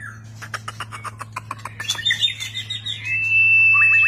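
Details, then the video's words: White-rumped shama in display, singing many varied phrases: a fast run of sharp clicking notes, then loud rich phrases ending in a long, high, pure whistle, over a low steady hum. "White-rumped shama Display kích chòe lửa hót nhiều giọng"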